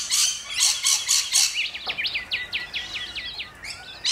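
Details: Rainbow lorikeets in Australia: a run of harsh, broadband screeches in the first second and a half, followed by a quick series of thinner, zigzagging chirped notes repeated about twice a second.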